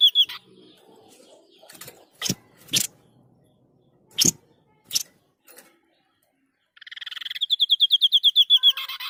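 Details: Actively singing White-breasted Babbler: one brief high note, several loud knocking thuds with silence between them, then a buzzy rattle leading into a long, rapid string of shrill repeated notes that get steadily louder.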